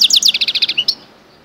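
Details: Brief phrase by a goldfinch × canary hybrid: rapid bright downslurred notes in a quick series, closing with two short higher chirps.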